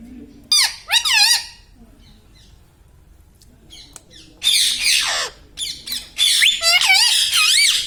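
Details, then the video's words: Pet Indian ringneck parakeet, the talking green parrot, giving loud harsh squawks in two short bursts, a quiet pause, then a longer run of rough, wavering screechy calls near the end. "Mitthu Mitthu Bolne Wala Batuni Tota - Talking Parrot"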